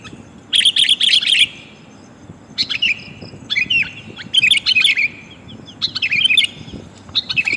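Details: Female sooty-headed bulbul calling to a male, a lure recording for wild birds; short bursts of quick chirping notes separated by pauses of about one second, each burst of bright warbled phrases.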